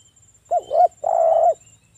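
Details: Spotted dove of local stock singing in the 'ngalas' wild style, a recording meant to draw replies from other doves: a rising double-humped coo followed by a long, even, purring coo, low and mellow.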